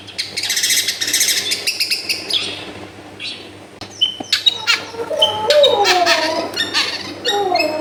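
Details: Long-tailed shrike song played as a lure to get a lazy shrike singing, recorded at a home in a crowded neighbourhood: a harsh, buzzy opening burst, a short pause, then a fast jumble of chirps, sharp notes and slurred whistles.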